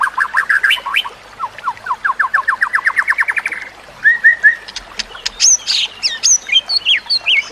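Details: White-rumped shama training song: quick repeated notes, a long accelerating series of rising whistles, three short level whistles, then bright looping high calls.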